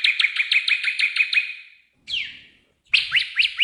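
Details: Magpie-robin in a training recording for a bird that has stopped singing: a fast rattling buzz of repeated notes fading away, a single descending harsh note, then resumed buzzy chatter.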